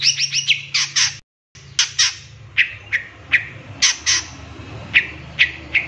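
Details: Long-tailed shrike training lure with 'tembakan' filling: quick squeaky triplets, then harsh short calls repeated roughly every half second over a steady low hum.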